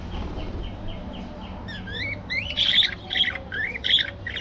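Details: Colorful budgerigars in an aviary: a row of soft, evenly spaced descending notes, then louder warbled, squawky chirps and chattering from several birds over a quiet low hum.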